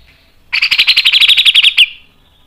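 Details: Grey-cheeked bulbul (cucak jenggot) giving a long rapid 'mbeset' phrase for training caged birds. It is a dense chattering trill of buzzy notes rising in intensity, ending in one sharp downslurred whistle.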